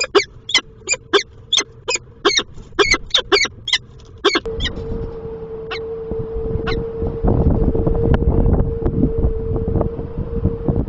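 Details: Peregrine falcon pair at the nest on 10 April 2023; the incubating male is pressed by the returning female to leave the eggs. Rapid harsh rasping calls fill the first four seconds, then loud wind noise and a steady hum take over with a few calls.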